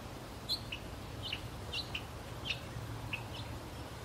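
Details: Ducklings with a parent duck, four young paddling past water lilies on a pond, giving faint, short high peeps that drop slightly in pitch, about seven spaced through the recording over a low steady background hum.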